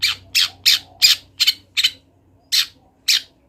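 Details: Long-tailed shrike, a wild cendet singing energetically in 'gacor latah' style for a master recording: eight loud, rasping chattering notes, partly in quick pairs, over a faint low droning hum.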